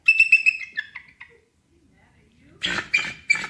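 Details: Bald eagle (Haliaeetus leucocephalus) gives its real call: thin, high piping chirps, about four a second and fading, then a few more squeaky notes after a brief pause. It is not the fierce scream, which belongs to the red-tailed hawk.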